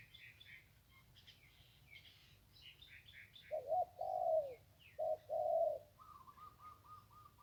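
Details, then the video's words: Zebra dove by the Ping River, answering with two pairs of short, loud, rolling coos. Thin chirps from other small birds come before them, and a fast series of whistled notes follows. "นกคูอ่างเจ้าเสน่ห์ริมปิง ได้นกโล่ง 1กุกขันเพราะๆ"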